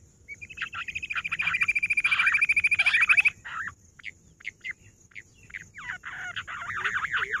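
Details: Rock bush quail, 18 July. A rapid rattling trill swells over about three seconds, then stops. Scattered, separate, upslurred whistled chirps follow, then a quicker run of looping notes.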